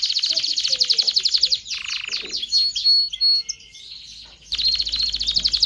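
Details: Canary singing to rouse males and females for mating: fast high trill, a lower buzzy rattle, clear whistled notes, then the rapid trill returns.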